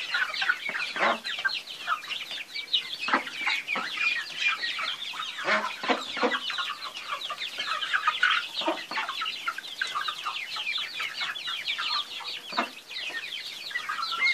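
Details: Flock of chickens in continuous chatter: rapid overlapping high-pitched peeps and chirps, with frequent lower clucking notes that are strongest in the first half.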